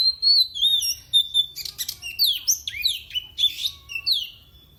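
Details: Rival-provoking song of a kept oriental magpie-robin. It opens with a sustained wavering whistle, then breaks into a fast run of slurred, descending whistles and scratchy notes.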